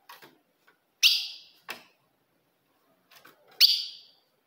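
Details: Female ultramarine grosbeak provoking a male with her call: two strong sharp notes, the first followed by a softer echoing chip, then a pause before another bright note, with faint rustles.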